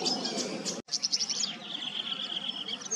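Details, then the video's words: Tawny grassbird, Queensland, giving a burst of rapid, high ticking notes followed by a sustained, even, slightly lower reeling trill lasting over a second; steady rustling noise underneath. "the Tawny Grassbird's call"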